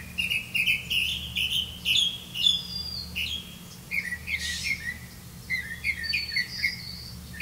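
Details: Black-bellied malkoha at its nest with young: a busy run of short high chirps and squeaks, some sliding upward or downward, coming several per second with brief pauses, over a constant low background drone.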